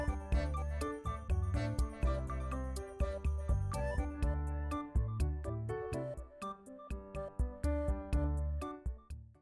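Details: Bouncy instrumental music with a steady beat and bright plucked notes; no animal voice is heard.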